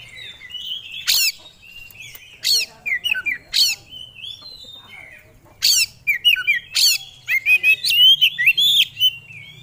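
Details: Oriental magpie-robin, or kacer, a songbird entered in singing contests, alternating loud harsh rasps with quick twisting whistled phrases and chattering runs over a faint low hum.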